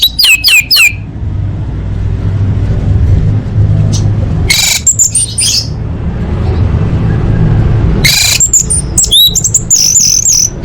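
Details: Orange-headed thrush, female, calling to males as a lure for birds that are not singing: clusters of loud, ringing whistled notes at the start, middle and end, separated by stretches of low hum.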